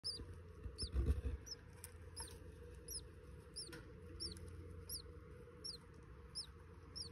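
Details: Budgerigars (parakeets) looking after their babies and eggs give thin, high chirps, each rising then dipping, repeated about twice a second over a low hum.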